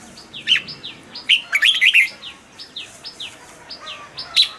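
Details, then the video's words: Among a background of repeated thin falling chirps, a caged red-whiskered bulbul throws in loud, jumpy whistled notes and a brief fluty phrase. "นกปรอดหัวจุก นกปรอดหัวจุก เสียงนกกรงหัวจุก"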